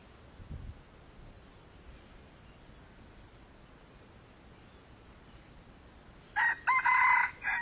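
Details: During a trapping session aimed at an old red junglefowl, a steady hiss of quiet background fills several seconds. Near the end, an abrupt, loud, clipped crow breaks in with harsh, broken phrases.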